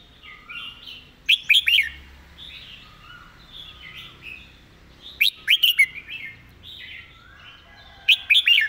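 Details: Red-whiskered bulbul in a fast-beaked, repetitive master-song style. Three loud bursts of three to four quick, bright whistled notes come about every three and a half seconds, with faint warbling birds behind.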